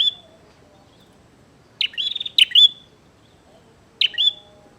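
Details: Bar-winged prinia singing a fight challenge: a rapid buzzy trill, then a sharp double chip with a rattling tail, and later another high chip-buzz, all bright and piercing over light low-level noise.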